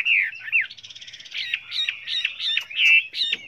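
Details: A Chinese hwamei, recorded as a multi-voiced song for training other hwameis, sings a loud, varied run of rich whistles and slurred phrases, with a brief buzzy trill, repeated in quick bursts about every half second.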